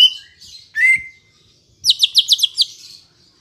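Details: Green leafbird singing, played as a lure for kept birds: a short whistle and a longer falling note, then a rapid run of six bright, buzzy high notes.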